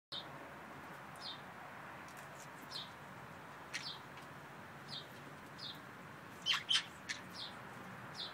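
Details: Green-cheeked conures (Pyrrhura molinae) give short, high, falling chirps about once a second, with two louder, harsher squawks near the end against a soft room hiss.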